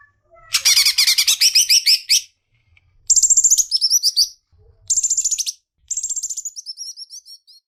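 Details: Leafbird song of fast harsh chatters followed by several high, rapidly repeated descending trill phrases with brief pauses between them.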